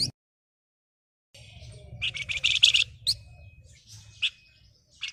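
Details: Persistently singing flamboyan delivering a rapid buzzy chatter, followed by isolated sharp chips and a faint thin whistle, over low rumbling background noise; kept as lure material for flamboyan that are slow to sing.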